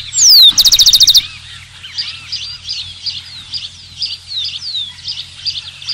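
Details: Rufous-collared sparrow gives one song near the start, a high descending whistled slur followed by a fast buzzy trill of about ten notes, then softer twittering from many distant birds fills the rest.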